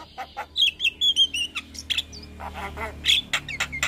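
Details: Lively Javan myna song: clear whistled notes and short warbles alternating with soft grating bursts, plus a small upward-flicking whistle, over a faint low background hum.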